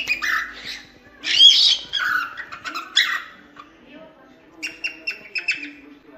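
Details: Cockatiel calling with a string of grating, wavering squawks and whistled notes, followed by a quicker set of brief, clipped chirps.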